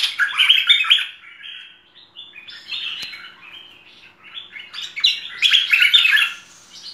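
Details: Merbah lekir (Cream-vented Bulbul) singing a varied full song: fast sequences of liquid, chattering notes in rising and falling steps, with brief softer passages between louder bursts.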